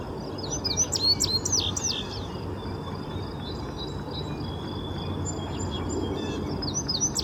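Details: A male Indigo Bunting sings on its breeding territory in midsummer 2024 at Horn Pond, eastern Massachusetts. It gives a quick two-second phrase of sharp, high, paired notes, then sings only faintly over a steady low background rumble.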